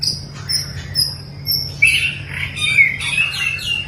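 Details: Long-tailed white-rumped shama singing during training: scattered clear whistled notes, some sliding and warbled, rising to a brighter burst midway, over a steady low hum of background noise.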